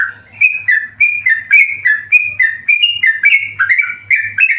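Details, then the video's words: Yellow-vented bulbul, a tame bird, in busy continuous song: quick chirpy whistled notes hopping between higher and lower pitches about three or four per second, with a soft low hum behind. "burung trucukan gacor jinak"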